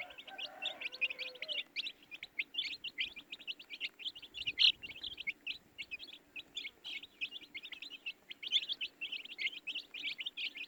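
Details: Baby chickens chirping: a dense, continuous stream of high, short peeps from several chicks, overlapping rapidly throughout, with a brief lower tonal sound near the start.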